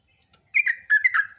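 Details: Two quick liquid warbling phrases from a sooty-headed bulbul (trucukan) in lively ropelan singing, each dropping in pitch, after brief quiet.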